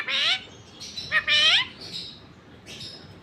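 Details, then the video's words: A pet Indian ringneck (rose-ringed parakeet) that talks in Urdu utters a few harsh, nasal, word-like syllables in quick bursts, loudest in the first second and a half, trailing off into softer squawks. "Indian ringneck parrot talking"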